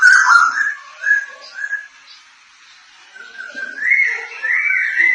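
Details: White-crested laughingthrush, Thai crested form, gives whistled, slurred notes, a short pause, then resumes with rising chattering phrases that swell at the end.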